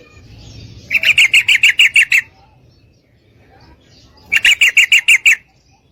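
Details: Female yellow-vented bulbul calling a male to mate: a run of nine quick, ringing chirps, a pause of about two seconds, then a second run of seven.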